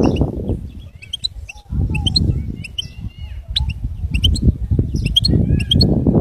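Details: Goldfinch singing: a rapid, uneven run of high, thin twittering and tinkling notes, some short slurred whistles, repeated several times a second, over a loud, low rumbling background noise throughout.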